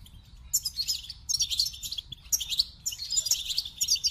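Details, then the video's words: Goldfinch delivering a lively song of high chattering phrases, each burst of liquid twitters and sharp chips lasting under a second, repeated with short gaps. "The Captivating Call of Goldfinches"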